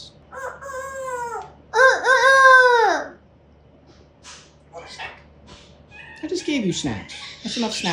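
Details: A pet African grey parrot practising newly learned words in September 2024; two drawn-out, harmonic, speech-like utterances with falling and rising inflection, followed after a pause by scattered soft clicks and chatter.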